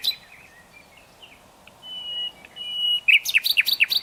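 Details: Nightingale singing: long, pure, steady whistles held at one pitch, then an abrupt switch to a loud, fast sequence of sharp, zigzagging notes.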